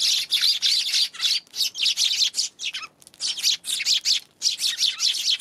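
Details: Dense, almost continuous chattering chirps from Eurasian tree sparrows on 11 January, harsh high notes repeated rapidly with only a few short breaks.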